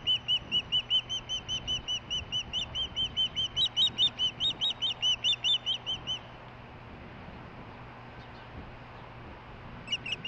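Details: Close but out of sight, a female osprey chirps while receiving a fish, recorded July 23, 2015. Quick repeated whistled notes run for six seconds, briefly rising higher in the middle, then fall silent before a few chirps return.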